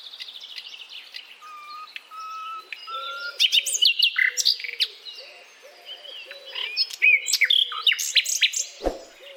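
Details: Common nightingale (Luscinia megarhynchos) song: a rich, varied run of high chirps, trills and sharp notes, with a few pure, slightly rising whistles and soft low notes beneath.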